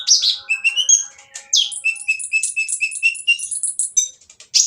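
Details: Van Hasselt's sunbird (kolibri ninja) pouring out a coarse song that provokes other birds to respond: fast chattering twitters, then a long, even run of high, clipped notes, closing with one loud, buzzy note.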